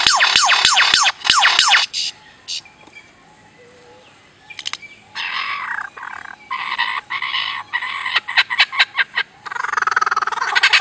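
A lesser florican gives a quick run of dry, frog-like clicks, then scratchy rasping bursts repeated at uneven intervals.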